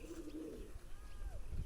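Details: A pigeon gives a sustained, throaty coo for about half a second, a low steady hum, followed by a faint falling whistle-like note and background rumble.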